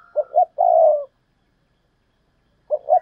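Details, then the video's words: Spotted dove giving urging and calling coos in the double-ending hai hậu style: a quick two-note coo and a long vibrating note, then after a silence another two-note coo begins. Clean, quiet background. "tiếng cu gáy thúc và gáy gọi/ Tiếng cu gáy đôi háy còn gọi là hai hậu"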